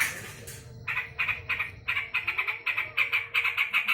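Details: Harsh, scratchy chatter from an angry yellow-vented bulbul: after a short pause, quick repeated squawking notes build into a steady rapid series, roughly three per second, over a faint low hum.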